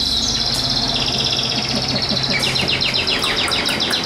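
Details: A newly arrived, hand-caught wild Chinese hwamei, not yet fully conditioned, sings loud, high, ringing phrases that drop into a fast run of repeated sweeping notes, over steady background hiss.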